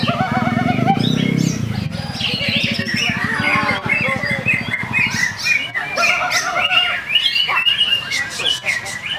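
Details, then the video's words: Greater green leafbird song: a dense, varied stream of warbled whistles, chirps and rapid trills with quick pitch jumps. A low droning rumble sits underneath the whole song. "Cucak ijo"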